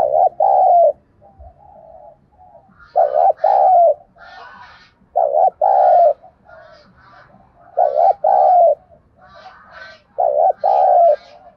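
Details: Thúc gù cooing of a spotted dove, a call style for luring birds in to the trap: five low paired coos, short then drawn out, roughly every two seconds, with faint high chirps from other birds above.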